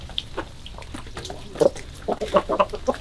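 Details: Chickens in the morning, February 2022, a few soft clucks followed by a cluster of louder, short, rhythmic clucks in the second half.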